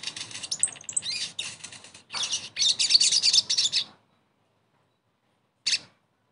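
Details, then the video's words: A sogon gives a fast, high, chattering run of sharp chirps and twitters for about four seconds, then one brief closing burst after a pause; the recording is meant as a therapy sound to get silent sogons singing again. "TERAPI SOGON MACET langsung GACOR DENGAR PANCINGAN INI"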